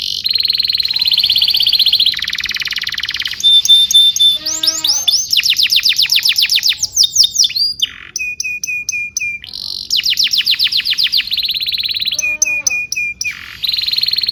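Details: Training song for young canaries: varied tours of steady high trills, a pure sustained whistle, quick descending note runs and sharp clipped whistles, each phrase switching abruptly to the next.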